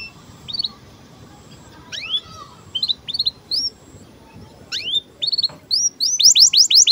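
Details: Canary birahi chirps from a breeding-condition bird, kept as tutor material: scattered sharp upward-sweeping whistles and paired notes, ending in a fast rapid series of bright rising chirps.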